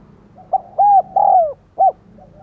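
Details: A single cooing phrase from a decoy spotted dove luring others: a brief opening note, two long mellow coos, the second falling away, and a short final coo.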